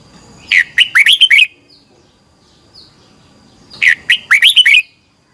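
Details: Red-whiskered bulbul giving competition song used to train birds, two energetic bursts of quick chirpy whistled notes, sweeping upward and downward, separated by about two and a half seconds of near silence with faint high peeps.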